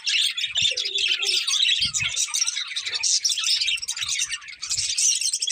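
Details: A breeding pair of colourful budgerigars chirping in a dense, buzzy warble of fast chirps and squeaks, with a brief lower murmuring note early and scattered low taps.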